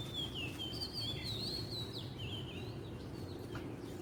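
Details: Oriental magpie-robin (kacer) singing in the wild: clear whistled phrases with sliding, warbling notes and quick slurs, delivered continuously over a steady low rumble of background noise.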